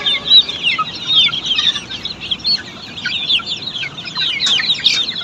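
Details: Many Australorp chicks in a poultry farm pen cheep constantly, high thin downward notes tumbling over each other, with louder bursts near the end of the recording.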